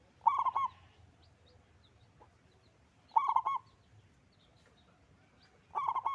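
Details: Local zebra dove with a big voice delivers three rolling, rapid coo phrases nearly three seconds apart against quiet surroundings.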